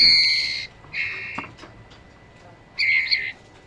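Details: Trotol birds, male and female, give rasping, scratchy calls in three separate bursts, the last one wavering, with near silence in the gaps between them.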